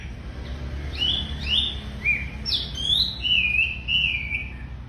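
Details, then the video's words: Tame racket-tailed treepie singing briskly: scattered whistled notes, then clear, looping warbled whistles in the second half, over a faint low background hum. "Wambi Gacor Super Jinak"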